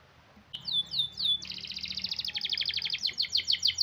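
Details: Canary singing to lure lazy canaries into song: a few descending whistled sweeps followed by a long, fast, buzzy rattling trill, with a faint low hum in the background.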